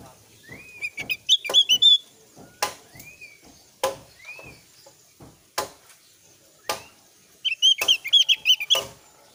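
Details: Javan grey-throated white-eye lure song meant to draw answering song; repeated slurred upward whistles mix with two bursts of rapid high chattering, among many loud clicks.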